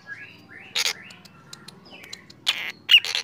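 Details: Black drongo singing in the morning: harsh broadband rasps at under one second and again near two and a half to three seconds, between soft whistled slurs and a thin high note.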